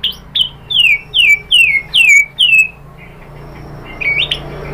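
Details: White-rumped shama song as a provoking lure: about six clear, falling whistled notes spaced roughly half a second apart, then a quieter twisting note after a pause.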